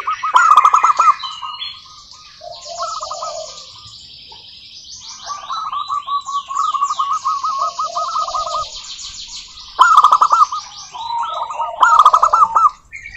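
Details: Local zebra doves singing as a lure to set other doves singing: rolling trilled coo phrases and loud bursts, with other birds chattering high and continuously in the background.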